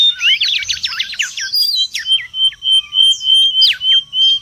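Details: Wild mangrove whistler in lively song, used for luring and tutoring: a rapid run of looping, warbled notes followed by clear level whistles cut by sharp downward slurs, repeated quickly.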